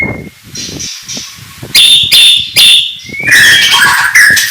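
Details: Morning song of an oriental magpie-robin (murai batu), meant to provoke rival birds: a thin steady whistle, then loud harsh bursts and a rising whistled sweep into busy warbling, with quiet gaps between.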